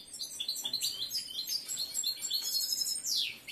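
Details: Breeding-condition male European goldfinch in a cage, faint, rapid high twittering notes over a noisy background.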